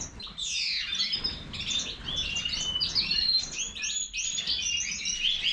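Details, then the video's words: European goldfinch of the Major form pouring out rapid liquid twitters and high slurred chirps, with a brief quiet moment near the start before the song runs on unbroken. "Stieglitz Major -Goldfinch طائر الحسون الرائد"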